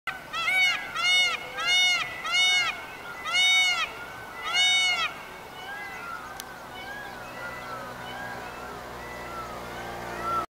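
A peafowl gives five loud, harsh, nasal honking calls in quick succession over about five seconds, then fainter background calling and ambient noise.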